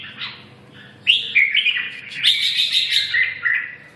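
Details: Red-whiskered bulbul singing a lively chattering phrase of slurred whistles and rapid notes after a quiet start, low hum beneath.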